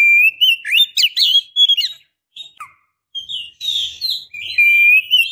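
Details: Oriental magpie-robin female, in breeding condition, calling for a male: a fast run of sharp, bending whistles and chirps, a brief drop to lower notes, then sustained sweet whistled phrases with thin high overtones.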